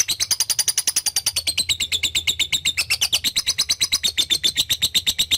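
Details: Lovebird in full ngekek chatter: dense, buzzy high notes pour out steadily at about seven per second for over five seconds, in a training recording for young lovebirds.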